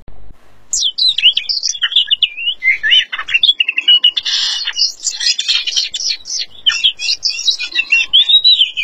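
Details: Oriental magpie-robin without feathers singing vigorously: after a brief quiet start, an unbroken stream of high, varied whistles, sweeping slurs and rapid chattering phrases runs for several seconds.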